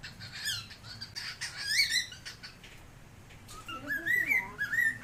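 A cockatiel sings a string of bright, warbling whistles that rise and fall, with chirps between phrases.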